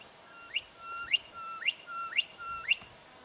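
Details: Juvenile brown goshawk in Victoria, Australia, October 2011, giving a series of five calls, each a level whistle sweeping abruptly up to a high, strident peak, spaced roughly every half second.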